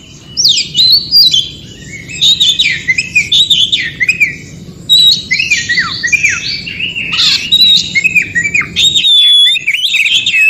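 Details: Oriental magpie-robin in wild forest, song intended to trigger silent magpie-robins to sing: lively continuous medley of sharp chirps, slurred whistles and trills in bursts, low rumbling background that drops away near the end.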